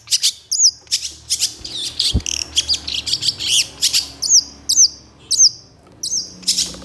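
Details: Long-tailed shrike (cendet) singing actively, stirred up by another shrike, in a training recording: quick mixed chirps and rising-falling sweeps, with short high hooked whistles repeated near the start and again later.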